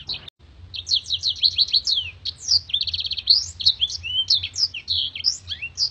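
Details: A Black-throated Canary, used as a master song for training contest birds, sings a long, fast, unbroken stream of sharp, clear, high notes: upward and downward sweeps, short trills and rattles, with a faint low hum behind.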